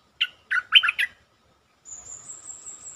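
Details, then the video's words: Stripe-throated bulbul lure song with a short run of warbled, slurred notes in quick succession, followed by a continuous high-pitched whine over a faint hum. "Suara pikat merbah lekir gacor"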